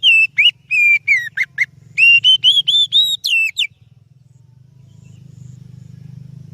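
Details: Oriental magpie-robin song meant to lure other birds. A quick run of sharp, clear whistles, some dipping and some rising, lasts nearly four seconds and ends abruptly. A steady low mechanical hum grows louder afterward.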